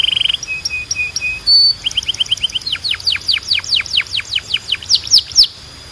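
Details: Belgian canary singing a training song: a steady buzzy trill, then short level whistled notes, then a long run of rapid downward-sweeping notes that speed up and grow louder.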